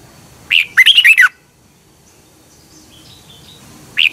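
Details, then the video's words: Red-whiskered bulbul song recorded in Thailand for daily morning bird training. One quick, chattering phrase of five bright notes is followed by quiet with faint twitters. A lone note comes at the end. "นกกรงหัวจุก, 30 นาทีทุกเช้า เพื่อให้นกเรียนรู้ที่จะพูดได้อย่างรวดเร็วและหนักแน่น"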